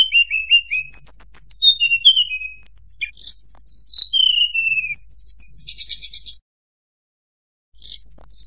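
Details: Trapping lure song of the tledekan gunung: fast series of high chirps and descending whistles, a buzzy trill-like burst of rapid notes, a short silence, then more chirping.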